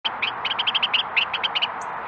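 A Carolina wren sings a fast, rolling series of bright, ringing notes, about seven per second, over a steady rushing background hiss.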